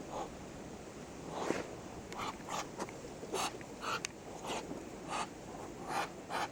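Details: A Muscovy duck (Cairina moschata) gives short, breathy hissing calls and huffs, roughly ten quick puffs in irregular bursts over a soft background hiss.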